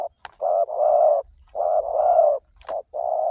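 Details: Spotted dove song, played to lure other doves to call: loud husky coos in pairs, a short note then a long steady coo, repeated almost without pause, with faint clicks.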